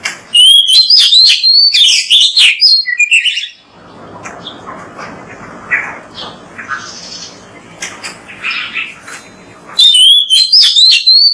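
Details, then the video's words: Oriental magpie-robin (kacer) in loud, fast bursts of varied whistles and chirps, a quieter stretch with scattered soft notes and background hiss, then the energetic whistled phrases resume near the end. "MASTERAN BURUNG KACER GACOR BERSUARA MANTAB"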